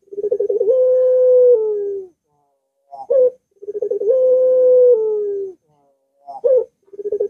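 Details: Barbary dove song, played to get a reluctant dove calling. The pattern repeats twice: rapid stuttered beats, a long level hoot that steps down and trails off, then a short clipped double note before the next phrase.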